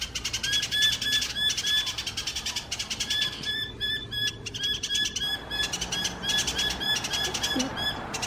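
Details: New Holland honeyeater at a steel gate in Cygnia Cove Wetlands, Waterford, Perth, late morning on 2 July 2020 in winter, gives loud, sharp chattering calls, rapid high notes in busy bursts, with other chirps mixed in; apparently reacting to its reflection.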